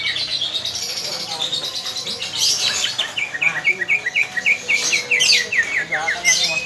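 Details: Caged pied green leafbird rehearsing ngetrok before a song contest: tangled high twittering gives way to a fast run of sharp, evenly spaced chirped notes, then more warbling.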